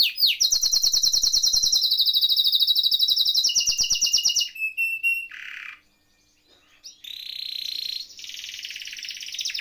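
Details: Canary singing rolls for tutoring or prompting silent canaries: a loud rapid roll, several pure whistled notes, a buzzy burst, a short silence, then harsher high trills.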